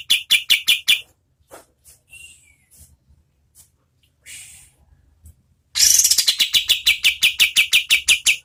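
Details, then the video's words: Oriental white-eye used as tutor audio for competition birds, in energetic medium-speed song: bursts of sharp, high chips repeated about three per second, a quiet gap with a soft whistle, then a long fast run of ringing chips. "KAPAS TEMBAK GACOR SPEED SEDANG Bagus sekali buat MASTERAN BURUNG LOMBA ¦ PANCINGAN KATEM"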